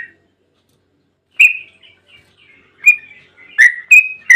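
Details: Lure song of a yellow-vented bulbul (trucukan) to draw replies from others: scattered sharp chirps and short slurred whistles, sparse at first and then quickening, in an otherwise quiet setting.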